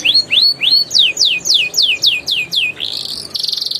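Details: Canary lure song in the ngeriwik and ngeroll style, used to prompt young canaries and canaries that have stopped singing: three rising whistles, then a string of quick descending sweeps, ending in a fast buzzy trill.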